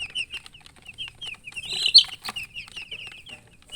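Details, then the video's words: Just-born chicken chicks chirping: clear high peeps, most of them falling in pitch, repeated steadily every fraction of a second, with one sharp louder note and quiet clicks. "Tot Murgi chicks chirping sounds Just Born Baby Gallina FRACAS Chicks Piar Loudly Sound"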